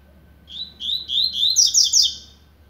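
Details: Blade-style double-collared seedeater warming up, delivering a steady series of buzzy notes that climbs into a cluster of high, sharp chirps before stopping.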